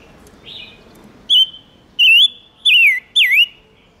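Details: Silver-eared mesia singing, played as a lure for wild birds and to rouse males: a soft opening note, then four loud whistled phrases, the later ones sliding down and curling back up, clean and quiet behind.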